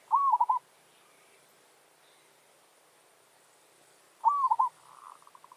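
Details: Zebra dove singing as a territorial challenge lure, with a wild forest bird drawn in. Two bubbly rolling coo bursts about four seconds apart, the second followed by a softer, fading stuttered coo.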